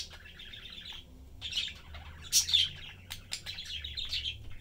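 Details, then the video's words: Budgie family of mother, father and chick chatting and feeding. Soft rambling warble with gaps, then a louder pair of squeaky chirps midway, then more murmured chattering over a low hum. "Sunday cute Budgie/Parakeet family lives, chatting, having fun and eating."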